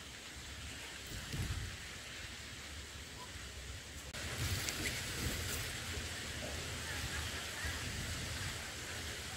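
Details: Steady rain hisses throughout and grows louder after about four seconds, with low rumbling underneath and no clear animal voice.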